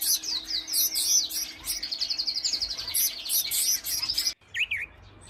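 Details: Wild birds chirping outdoors: dense, rapid high-pitched tweets and trilled phrases overlapping continuously for about four seconds, then a brief gap followed by a few sharp, separate chirps.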